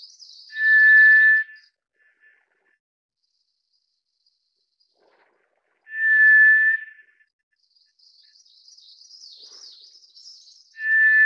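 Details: White's thrush (tiger thrush) repeats one drawn-out pure whistle of even pitch roughly every five seconds, three times. Long silences separate them, with a soft warbling high-pitched bird in the background near the end.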